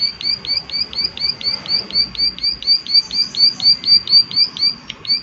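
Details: Loud, clear prinia 'klik klik' call: a steady, evenly paced string of sharp high clicks, roughly two per second, each with a hooked, slurred quality. The background is quiet throughout.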